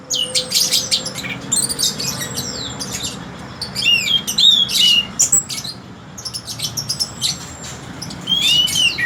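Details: Orange-headed thrush, praised as very melodious, delivering dense clusters of high chirps and fluted whistles in rapid bursts, broken by short quiet gaps; faint low hum underneath.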